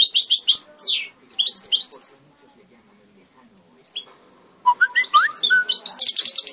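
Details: Hand-raised European goldfinch singing bright, twittering phrases of rapid high notes, with a pause near the middle before a dense, loud burst of tinkling trills at the end.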